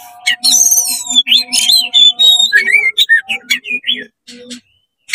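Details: Rapid 'konslet' song of an oriental magpie-robin opening its tail to provoke other magpie-robins: a continuous stream of loud whistles, sweeping and warbling up and down, mixed with buzzy notes, over a faint low background hum.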